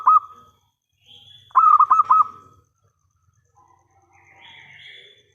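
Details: Loud local zebra dove song used to lure other doves into answering: the tail of one phrase, then four quick rolling coos with a held ending, followed by faint distant chirping.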